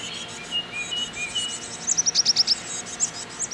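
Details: Chickadees at a nest box, with adults feeding young that are nearly ready to fledge, give a few soft, thin whistled notes, then a quick burst of about seven sharp, very high chips in under a second.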